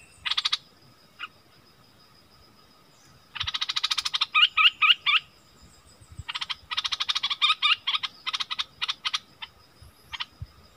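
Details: Wild striated bulbuls in a fierce argument, recorded in February 2021, give separated bursts of rasping buzzes and a few clear rising whistles, with quiet gaps between bursts.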